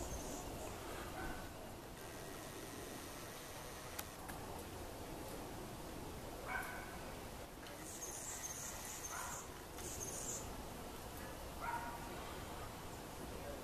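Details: Anna's hummingbird in a spring mating display: short, high scratchy buzzes at the start, then a cluster of thin, rasping, very high bursts midway. Faint lower chirps are scattered through, over a constant background rumble.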